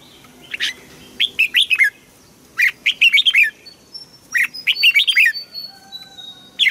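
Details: In Thailand, an Asian bird sings phrases of four or five quick, high, falling chirps separated by pauses of about a second.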